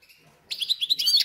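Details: Goldfinch × canary hybrid in a cage, recently arrived and settled, bursting into a brief high twittering phrase after a quiet start.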